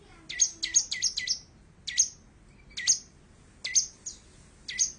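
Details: Long-tailed shrike song via an Android phone: bursts of high, sharp chirps with thin whistled tops, delivered in short groups about a second apart.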